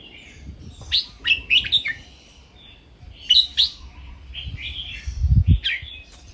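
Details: Red-whiskered bulbul cage birds singing playfully for training, with counted-phrase and master-phrase styles: quick, bright chirpy phrases of three to four notes come about every two seconds over dull low thumps.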